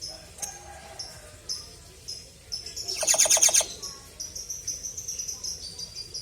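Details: Common hill myna kept as a pet, bursting into a rapid run of harsh, rasping pulses for about half a second amid steady thin high chirps from other birds.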